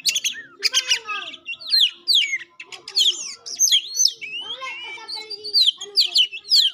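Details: Oriental magpie-robin from Indonesia singing continuously: varied high whistles that swoop up and down, mixed with buzzy rasps and quick chips, loud and richly patterned throughout with almost no gaps.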